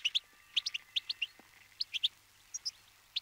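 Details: Brambling, winter guest in a flock feeding on sunflower seeds. Scattered, short, high chirps, singly or in pairs, spaced irregularly over a light background hiss.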